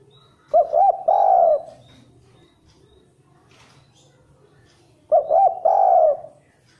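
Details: Bait recording of a spotted dove, called not a frequent singer yet decent and quicker. Two identical low phrases about four and a half seconds apart, each with two clipped hoots and a longer quavering coo.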